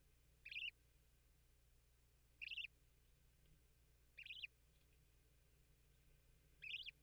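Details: A newly hatched Bermuda petrel (cahow) chick in its nest burrow beside its father, 10 March 2023, gives four short, high, squeaky peeps about every two seconds, unevenly spaced, signalling hunger before its first feeding; steady low hum.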